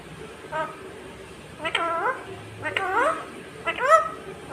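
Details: Talking Indian ringneck (rose-ringed) parakeet giving four short, nasal, speech-like utterances about once a second, each bending up and down in pitch, over a quiet background hiss.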